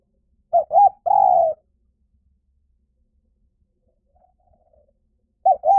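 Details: Spotted dove coos for attracting wild doves to a decoy: a short double note and a long falling coo, a long silence with a faint distant coo, then the phrase begins again.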